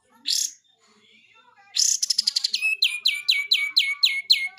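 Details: Lemon-bellied White-eye, singing actively, gives one buzzy note, a pause, then a rapid rattling buzz that turns into a long run of about nine high, sharp, downward-slurred notes repeated at a brisk, steady pace.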